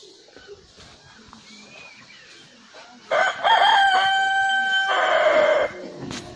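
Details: Rooster crowing, a single loud harmonic crow starting about three seconds in and holding a steady pitch for over two seconds before cutting off, after a quiet stretch of faint background sound.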